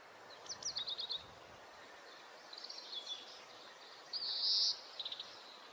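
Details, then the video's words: Breeding-season male Oriental greenfinch near homes in Hokkaido, Japan, recorded on a Nikon COOLPIX P950: quick high twittering trills, then one harsher buzzy note and a few soft chips, fairly quiet against a low background hiss. "カワラヒワの鳴き声（さえずりと地鳴き） / Oriental Greenfinch bird call and sound"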